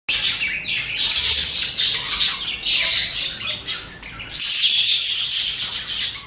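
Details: Several budgies (parakeets) chirp and chatter in dense, high, scratchy bursts that stop briefly near the middle and then return louder and steadier.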